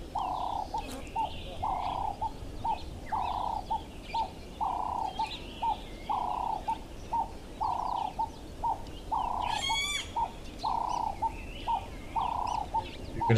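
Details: At an African waterhole on 26 September 2025, a Ring-necked Dove repeats its throaty, rhythmic 'work-harder' coo, a long note then a clipped one; a golden-tailed woodpecker's brief harsh squawk cuts in near the end.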